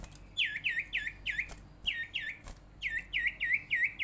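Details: Sirtu bird lure call for getting other sirtu or cipow birds to sing: a fast series of sharp, down-hooked chirps in three runs of four or five notes, about three per second, with brief clicks between runs.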